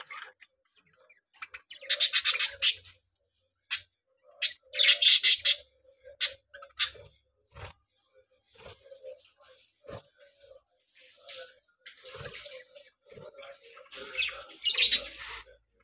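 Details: Budgerigars in a breeding colony give bursts of harsh, buzzy chatter and bright chirps in irregular runs.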